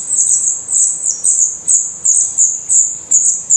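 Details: Black redstart nestlings in a nest in Portugal, eyes already open and adult feathers growing, giving high thin wheezy begging calls in rapid pulsing bursts, about three per second.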